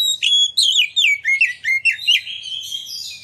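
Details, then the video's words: Oriental magpie-robin singing energetically as a lure for other magpie-robins to sing and fan their tails; a series of strong, looping whistled notes, each swooping down, followed by a high, scratchy, mimic-like twitter. "Pancingan Kacer Gacor Ngeplong Nembak! Buat Kacer Lain Ikut Buka Ekor Keluar Isian"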